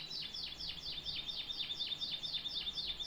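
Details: Canary delivering a steady run of rapid downward-sweeping notes repeated about twice a second, with a thin high sustained whistle running underneath.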